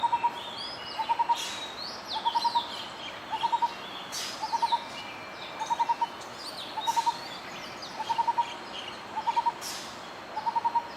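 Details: Lineated barbet (Psilopogon lineatus) song: low, mellow hooting notes in quick clusters of three to five, repeated about once a second, with faint higher chirps from other birds behind.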